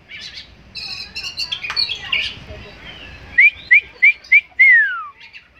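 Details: A tame kacer, or Oriental magpie-robin, described as contest-worthy, gives scratchy mixed chatter before five sharp upslurred whistles in rapid series and a long sweeping note that slides down, with constant background hiss.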